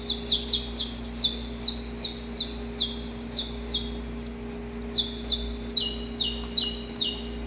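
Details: Saffron finch recorded in the wild: a long rapid run of high, harsh, downslurred notes, steady at first, then shifting to higher double notes paired with lower echoes near the end.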